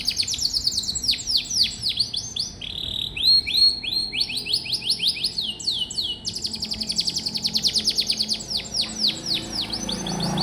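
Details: Canary singing to encourage young canaries to sing: a long varied sequence of fast repeated swept notes, short flat whistles and rolling trills, delivered rapidly without pause.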